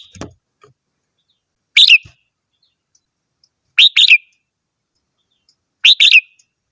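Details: Red-whiskered bulbul song: short, bright two-part whistled phrases repeated about every two seconds, after a brief soft knock at the start.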